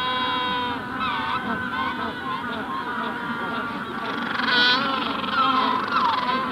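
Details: Adult Magellanic penguins in a colony at hatching stage, recorded close up: harmonic braying calls with wavering, stacked tones rise and fall continuously, a louder squeal-like burst near the end, and the wider colony murmuring in the distance.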